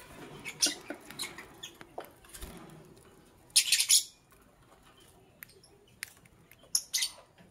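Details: Lovebird morning chirping: scattered light ticks and faint chirps, then a loud burst of grating, high shrieks in the middle and one more harsh chirp near the end.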